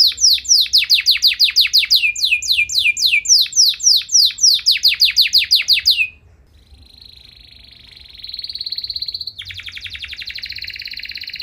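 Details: Canary singing long, luxurious phrases to agitate other canaries into joining in. It opens with about six seconds of rapid repeated downslurred whistles, followed by a soft rattling roll that swells, then a buzzy trill.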